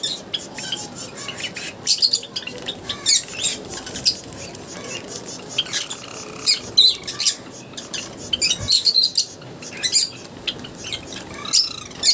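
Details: Java sparrows kept in an aviary, several birds at bath time, giving short high chirps at irregular intervals through constant splashing, flicking water and flapping wings.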